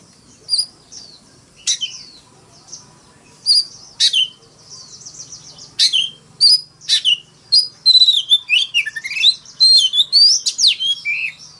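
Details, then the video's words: Fighting song of an Oriental magpie-robin in the morning, starting with sparse sharp whistled notes that quicken into a dense fast series of chirps and slurred whistles. "Tiếng than mồi hót đấu"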